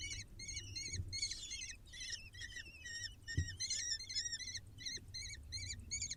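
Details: Six young falcons begging during feeding on a live bird cam: quick series of arched, scratchy squeals in overlapping voices, repeated steadily, with one sharp knock and a low hum behind.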